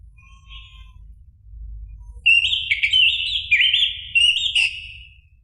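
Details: Caged orange-headed thrush song used as a trigger recording to get another bird singing: a faint early phrase, then a loud run of rapid, slurred whistled notes with sharp accents, fading at the end.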